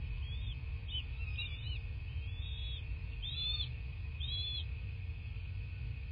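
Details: Nest-cam sound from a bald eagle nest in southwest Florida, 14 March 2024, morning: a run of high, thin, arching chirps, several close together and then spaced about a second apart, above a steady low rumble and an electrical hum.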